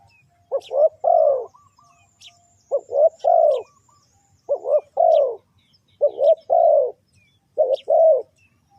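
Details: Lure call of a spotted dove used to draw in wild birds: six steady phrases, each a pair of brief low coos and a longer, mellow drawn-out coo, roughly one every 1.3 seconds, with faint chirps behind.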